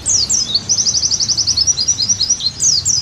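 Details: Pleci, the Oriental white-eye, singing a bright, very high phrase for a therapy and tutor recording: sweeping opening notes, then a quick regular string of about a dozen short chirps, then more slurred notes.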